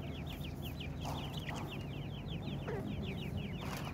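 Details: Teetar (francolin) chicks calling, said to be calling their mother at feeding time: many rapid, high, down-slurred peeps overlapping in a busy chatter, with a few louder lower notes and steady low hum beneath.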